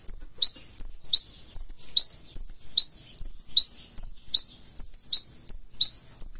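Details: Konin, the purple-throated sunbird, delivering active full isian song: piercing high whistles, each ending in a quick downward swoop, repeated more than once a second with slightly uneven spacing.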